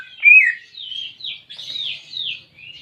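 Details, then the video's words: Caged greater green leafbird singing, meant to stimulate a silent pet bird: a loud, dipping whistle followed by a continuous run of thin, high, warbled phrases that rise and fall. "Terapi Cucak Ijo Malas Bunyi"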